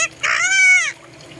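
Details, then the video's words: Pet red-breasted parakeet gives one drawn-out, nasal, slightly arching voiced sound imitating human speech; this talking parrot asks its owner whether the fish have been fed. Faint room noise follows. "Nhật ký vẹt thường ngày hay nói chuyện tiếng người siêu giỏi ( Talking Parrot Diary)"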